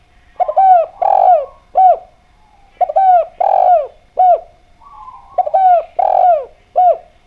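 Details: Spotted dove of the Javan type, called derkuku, singing loudly with a clear voice as a lure to set other doves calling. Three similar phrases of deep, husky coos, each a short grace note, a long drawn coo and a clipped final note, repeated about every two and a half seconds. A soft warbling hum is heard between phrases.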